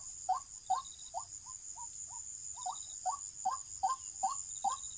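White-breasted Waterhen giving a steady series of hollow, mid-pitched kwak notes, about two or three each second, over a constant high insect drone.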